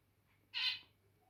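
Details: One abrupt, nasal zebra finch beep, bright and rich in harmonics, lasts about a third of a second over a faint hum. The birds show territorial behaviour before cuddling.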